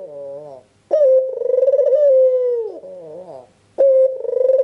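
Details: Red-eyed albino Barbary dove in steady full song, used as a lure to get other doves calling: drawn-out purring coos with an abrupt start, a trembling middle and a falling close, separated by brief pauses.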